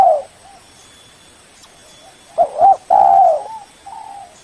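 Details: Spotted dove lure call for calling a rival: a brief coo at the start, then a low wavering double note and a long, loud, slightly falling coo, with softer coos trailing after.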